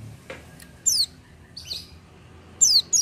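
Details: Oriental white-eye singing freely without stimulants, giving short, piercing, high notes that slide downward, one early, a softer one mid-way and a quick pair at the end, over quiet low rumble.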